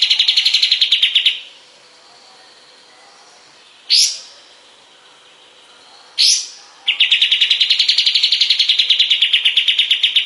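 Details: Kapas tembak bulbul song used as a master recording for training other songbirds: fast trills of sharp, evenly repeated notes, with two short rising chips in a quiet gap before the trill resumes.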